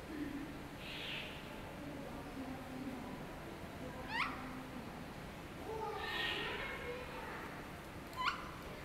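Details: A great slaty woodpecker at Ueno Zoo, Tokyo, gives two sharp, ringing call notes about four seconds apart, over a steady low murmur of background noise.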